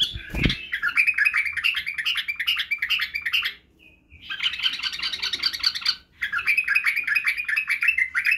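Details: White-eared bulbul (badrawi bulbul) song used to teach young bulbuls to sing, do the barwaz and wing-clicking: dense, rapid chattering warble in bursts, broken by a short pause near the middle, with a dull thump at the start.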